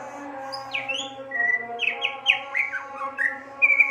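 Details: Greater green leafbird singing vigorously (gacor): a varied run of short whistled and slurred notes, rising and falling, with a steady low hum underneath.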